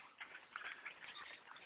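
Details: Thousands of black birds crowding a tree stand during a bow hunt, steady mass of chirping and squeaky notes with a few clearer whistled tones.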